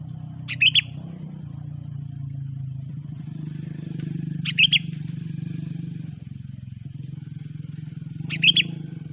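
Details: Sooty-headed bulbul song used as a lure for trapping bulbuls: three short bursts of whistled, slurred notes spaced about four seconds apart, over a steady low engine-like rumble.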